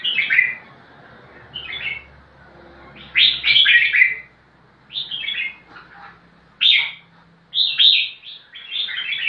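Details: Crested bulbul calling out for a rival to fight, giving repeated loud, liquid warbling phrases about once every second or two, each a quick tumble of rising and falling whistled notes, with soft gaps between bursts.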